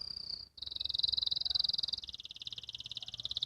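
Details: Young canary learning to sing in the ngriwik style: a brief high whistled note, a short gap, then a fast buzzy trill that steps down at mid-clip into a lower, coarser rattling roll, repeated about four times a second.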